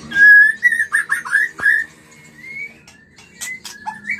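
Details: Breeding-stimulation song of a white-rumped shama: strong steady whistles and short warbled notes, followed by softer drawn-out rising whistles and scattered clicks.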